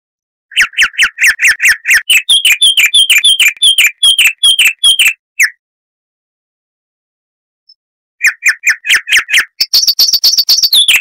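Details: Chestnut-vented warbler (Sylvia subcaerulea) in southern African scrub singing long runs of rapid, clear repeated notes, lower sliding phrases shifting to higher whistles, then after a pause a renewed burst ending in a high trill.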